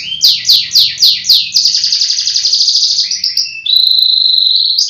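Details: Canary from Pemalang, Central Java, Indonesia, in full song: five loud falling sweeps, a fast buzzy rattling trill, then a long piercing steady whistled note, with a faint low hum underneath.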